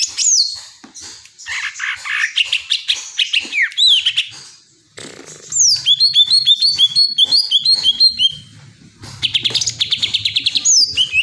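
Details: Greater green leafbird singing a varied, energetic song of high whistles and sweeping notes, with rapid runs of short chirps repeated in bursts and brief pauses between phrases.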